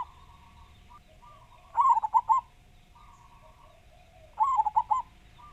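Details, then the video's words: ['Local Javanese zebra dove, a lively singer with a big voice. It gives two rapid, warbling coo phrases about two and a half seconds apart, over a faint chorus of softer cooing doves.'] "Perkutut Lokal Gacor Suara Besar"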